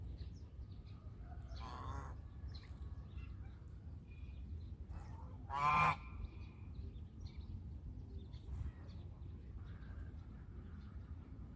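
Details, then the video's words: Domestic country goose producing one loud harsh honk in the middle and a fainter honk earlier, against a low steady rumble with little else. "The sounds of Country goose call is relaxing."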